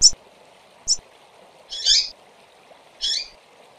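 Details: Female double-collared seedeaters calling, a recording meant to stimulate birds: two brief high chips followed by two longer, harsh buzzy notes, over a faint steady background hum.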